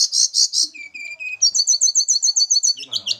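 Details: Caged little pied flycatchers from Java during pairing; a harsh buzzy burst, three lower steady whistles, then a fast even series of paired high notes about six per second.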